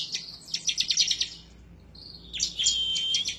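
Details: Excited bar-winged prinia seeking a rival, rapid high chattering notes, a brief pause, then a sustained thin whistle under continued buzzy chips.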